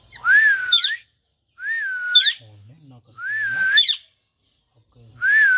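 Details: Talking parrot giving a clear whistled phrase that rises, dips and rises again, repeated three times about every one and a half seconds with short pauses between, plus faint low murmurs in the gaps.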